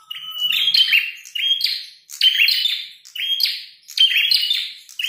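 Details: Red-headed prenjak singing hard during a fight: four bursts, each a level whistled note followed by rasping, stuttering chatter, about one per second.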